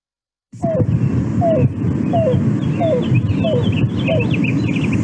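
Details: A cuckoo gives soft, slurred downward coos, six in a row about every 0.75 seconds, over a steady low rumble with faint higher bird notes; this cooing may sound a little like a greater roadrunner's coo.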